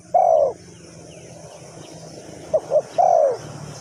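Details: Spotted dove calling in Ninh Thuận during decoy bird trapping: a long falling coo, a quiet gap, then two short notes and another drawn-out coo, over a steady low hum and faint hiss.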